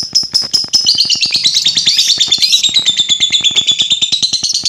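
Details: Lovebird giving a continuous rapid, buzzy chattering trill, wavering in pitch, used to provoke other lovebirds; a faint regular ticking runs underneath.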